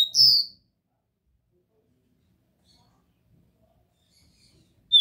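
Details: A copper seedeater (caboclinho) gives its "Dó Ré Mi" song type: a clear, high whistled note that slides slightly downward, then several seconds of silence before a second whistle begins at the end.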